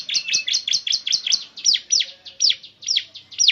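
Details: Ciblek, the bar-winged prinia, singing as a lure for a caged bird: quick, high, warbling chirps at first, then slower, louder, downward-swooping notes spaced about every half second.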